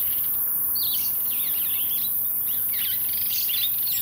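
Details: Rare visitor to a suburban Pretoria garden in South Africa, Jameson's firefinch gives quick, high twittering chirps in two short clusters, sharp and slurred notes tumbling together, over constant background hiss.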